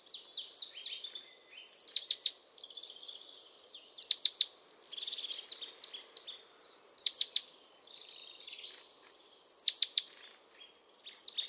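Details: Resident European crested tit in Portuguese pinewood, delivering high, thin descending notes grouped in threes alternating with soft buzzy purring trills, repeated about every two to three seconds.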